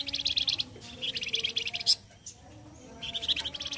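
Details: Flamboyan bird from Indonesia singing loudly and harshly, a style sought for training other birds: repeated bursts of quick chattering high notes, each under a second, with a sharp squeak and brief pause between.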